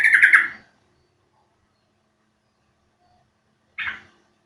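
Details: Yellow-vented bulbul call for luring birds to sing: a short chattering burst, then after about three seconds a brief, fainter note.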